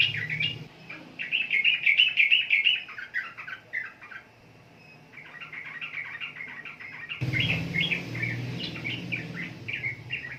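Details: Trucukan, the sooty-headed bulbul, sings fast chattering phrases of clipped, bubbling notes. A short lull comes midway, then a change to a noisier section with a low droning hum beneath the continuing chirps.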